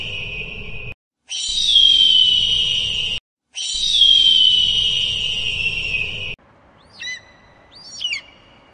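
Bald eagle: thin, high whistles sliding downward over a steady hiss, then two short, sharp chirping notes near the end.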